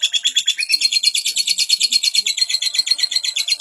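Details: Non-stop lovebird song for tutoring juvenile lovebirds: a shrill, fast stream of chirping notes, roughly three pulses per second, steady and unbroken throughout.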